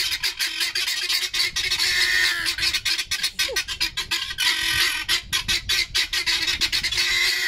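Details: Pet guineafowl scolding their owner: a dense stream of harsh, grating, rapidly pulsed calls running continuously, with brief squeaky notes mixed in.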